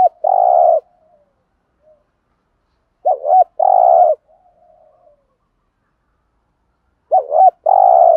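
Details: Spotted dove, a decoy bird, giving the 'thúc gù' urging coo in a native voice: loud low hollow coos in short phrases, each ending in a fainter trailing note, with about three seconds between phrases.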